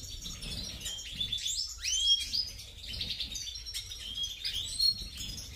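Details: High, liquid twitter from a European goldfinch, subspecies major: rapid chirps, trills and a sweeping upslurred note, steady and continuous.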